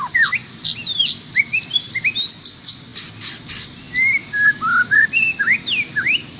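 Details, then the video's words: Cage-bird master song used for training other birds: a busy run of sharp high chirps mixed with short rising and falling whistled slurs, delivered in quick bursts over a low background hum. "suara masteran buat trocok garuda"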